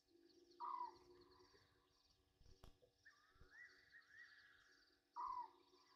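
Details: Wild Egyptian geese at a waterhole on Djuma Game Reserve, Sabi Sand, South Africa, bathing at night on 27 August 2023: two brief, loud, rasping downward calls about 4.5 seconds apart, with a faint click and constant insect drone.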